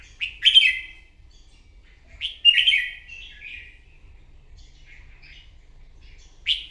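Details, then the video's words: Red-whiskered bulbul, a newly caught bird, in morning competitive singing used to spur rivals: three short bright warbled phrases around 0.3, 2.3 and 6.5 seconds, each a quick burst of slurred chirps with quiet pauses between, and faint low hum beneath. "Kích chào mào bổi hót đấu " luyện giọng chào mào hót buổi sáng kích chim hót đấu căng lửa"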